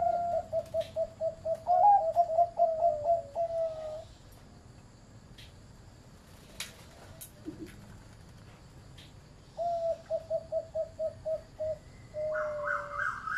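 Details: Farm-kept zebra dove, medium-pitched voice, repeating short, rounded coo notes in fast rhythmic runs, a long burst of about fifteen beats, a quiet gap with faint clicks, then another run and a higher drawn note at the end.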